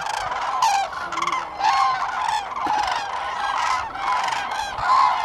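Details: Common cranes at Lake Hornborga, Sweden, in April 2017: a dense chorus of many birds giving loud, harmonic trumpeting calls that overlap continuously, with bursts rising and falling every second or so.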